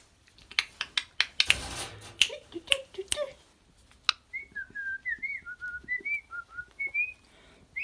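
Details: Pet lorikeet indoors in a small room making a rapid series of sharp, dry clicks for about three seconds, then a run of short whistled notes rising and falling, repeated several times.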